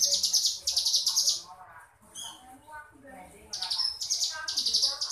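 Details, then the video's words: Crescent-chested warbler in ngebrem style, buzzy high trill bursts at the start and end, with a quieter middle section of softer twittering and chip notes. "Suara Burung Ciblek Gunung Ngebrem"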